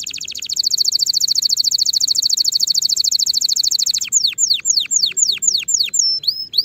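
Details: A canary sings for the early tutoring of young birds for the next season: a long steady high trill for four seconds, then well-spaced descending whistles and rising slurs.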